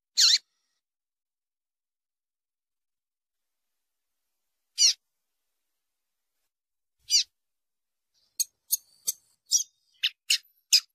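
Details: Calls of a female double-collared seedeater, meant to warm up and spur captive males into singing: three sparse, high, buzzy notes spaced seconds apart, then a quicker run of brief sharp chips near the end, with no other sounds.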